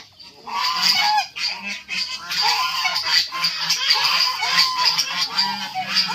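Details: White geese kept with fighting chickens on a poultry farm: a continuous, crowded chorus of nasal honks from many birds, overlapping without pause above a dense, hissing background of farm noise.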